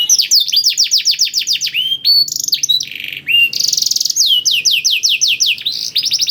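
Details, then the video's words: Blackthroat-style filled canary song, meant as a lure to get canaries singing: rapid sweeping whistles, a harsh buzzy stretch, then further descending notes, over a faint low hum. "KENARI ISIAN BLACKTHROAT #175 || VOICE OF CANARY"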